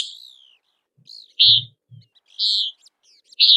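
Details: Common Nighthawk calling while flying after insects: four harsh, nasal, buzzy peent notes, the first sliding downward, in quick succession, with soft low knocking sounds in the background.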